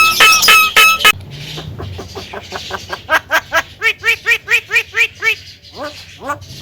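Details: Javan myna, locally jalak kebo, said to talk loudly and clearly: a harsh noisy burst opens, then a steady run of about a dozen loud, arched, ringing notes, evenly repeated, ending in a few rising slurred calls.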